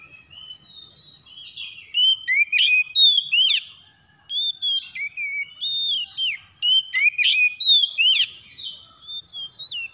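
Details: Long morning song of a White-rumped shama: bursts of rich whistles, slurred notes and sharp harsh clicks, with short pauses between phrases and many quick notes in a row.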